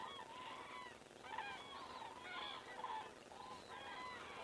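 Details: Several common cranes passing overhead at 19:10 on 19 September 2017 in Estonia give rapid, ringing trumpet notes, some rising and some bending down, in quick groups roughly every half second.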